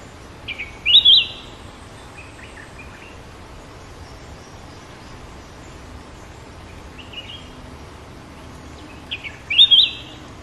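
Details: Sooty-headed bulbul song: two short bursts of bright, bubbly whistled notes near the start and end, separated by quiet stretches with faint background noise.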